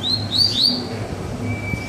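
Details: Caged double-collared seedeater singing again after bathing, one of two males in a lively session: a short burst of three high, rising whistled notes, then a faint steady tone, over low background hum.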